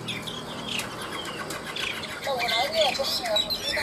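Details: Caged Chinese hwamei singing in the ngũ trường style: after quiet, scattered notes, a loud run of rich, rolling, slurred whistles rises and falls in quick succession through the second half.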